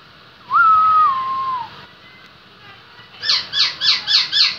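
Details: Black-throated laughingthrush, a prized songbird from Lai Châu, Vietnam: one long clear whistle that steps down and fades, a pause, then five quick loud buzzy rising-falling notes in a rapid even series.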